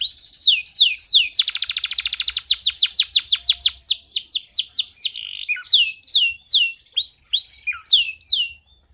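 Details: Male canary in full heated song, meant to teach young canaries and excite females: loud, high sweeping whistled notes, a fast buzzy rolling trill in the middle, then clear descending slurred whistles repeated about twice a second.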